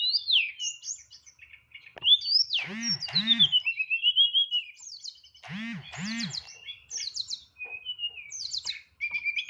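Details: Kept hill blue flycatcher (tledekan) singing in the nyeklek style, with loud, complete fill phrases: high whistled slurs and trills, two pairs of deep arching strokes, then buzzy repeated notes; a human voice may be faintly mixed in.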